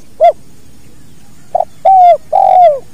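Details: A spotted dove performs the 'kuk dua' song in a natural recording used to train other birds. A rounded coo, a short stuttered note, then two long mellow coos that sag downward at the end, with a faint low background rumble.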